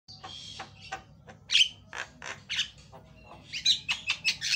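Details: Javan myna in a loud, varied training lure song: harsh squawks, clicks and short rising whistles burst out in quick irregular runs, with a brief whistled note near the middle and a faint low hum beneath.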